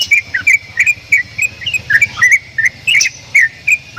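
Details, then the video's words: Javan myna making strange sounds: a lively run of bright whistled chirps, some falling, about three a second, over a faint low background drone. "JALAK KEBO BEESUARA ANEH"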